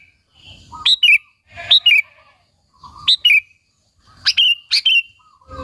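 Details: Sooty-headed bulbul singing persistently, a lure to provoke other bulbuls. Short two-part liquid phrases of quick rising and dipping notes, repeated about five times in under six seconds against a quiet background.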